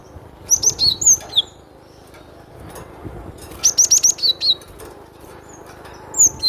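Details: Cinereous tit delivering rapid clusters of bright, high whistled notes, slurring downward, grouped in two main phrases a few seconds apart, with soft background murmur.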